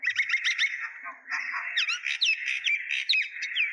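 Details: Myna from Kulaura, Moulvibazar, Bangladesh, chattering without pause: dense, harsh chirps mixed with whistled upward and downward slurs, delivered in a rapid, uneven stream.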